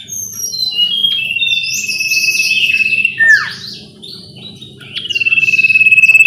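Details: Lure recording of sooty-headed bulbul song meant to get a caged bird singing. Layered whistles and chirps sit over a long pulsed trill. A loud falling note comes near three seconds, and busy high twittering fills the background.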